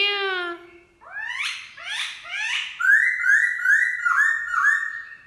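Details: A black-throated laughingthrush sings in the morning, wild-style: a low drawn note, three rising sweeping calls, then five quick looping whistles on one pitch.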